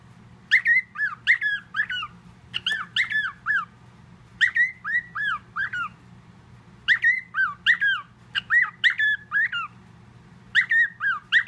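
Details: Male pet parrot indoors, mixing a mimicked Andy Griffith tune with other whistles; bursts of sliding, warbling whistled notes in quick phrases of three to five, separated by short pauses, over a steady low hum.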